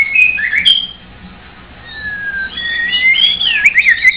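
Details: White-rumped shama singing: bright whistled phrases with quick rising and falling notes, a long, smooth, slowly descending whistle after a short pause, then a burst of rapid, varied warbling notes.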